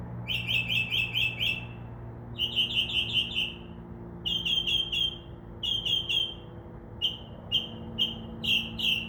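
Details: Mockingbird in a tree outside a window, singing after midnight and copying sounds like crow caws; rapid trills of five or six bright notes, the group repeated several times with slight changes, over low background hum.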